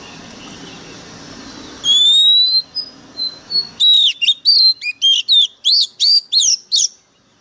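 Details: White-rumped shama singing: long rising pure whistles at first, then a rapid series of short, loud, sharply modulated whistled notes, roughly three per second, against a quiet background.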